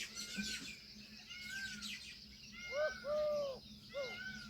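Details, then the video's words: Indian peafowl calling: a few arched, wailing calls with clear overtones, bunched around the third and fourth seconds, set among chirping from other birds over a steady low hum. "Peahen bird the Indian peacock/most clear sound"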